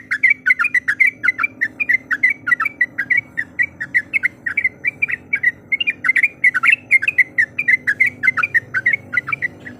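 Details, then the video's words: Yellow-vented bulbul, a female calling the male, used to anger a rival: nearly ten seconds of unbroken, fast bubbly warbling notes, roughly four per second, over a faint low hum. "Suara Panggilan Trucuk Gacor Mencari Lawan Auto Emosi"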